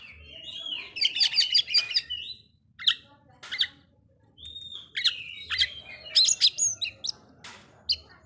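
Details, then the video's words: Oriental magpie-robin song meant to agitate other magpie-robins: a chattering burst of quick notes, then scattered whistled notes and short phrases with pauses, softer overall, over a low hum. "Suara burung kacer bikin emosi kacer lain"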